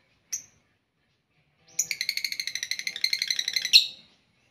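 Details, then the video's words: Several lovebirds kept together in one cage and making a lot of noise: a single high chirp, a pause, then a rapid run of bright, ringing notes for about two seconds, ending in a sharp squeak. "Ginilah Akibat Burung Lovebird Di Buat Satu Kandang Bikin Ribut Sampek Gacor Kali"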